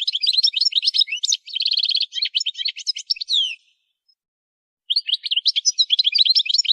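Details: Goldfinch singing for song training: busy high twittering with a quick, evenly repeated trill and buzzy slurred notes. It breaks off into about a second of silence, then resumes with dense rapid chirping.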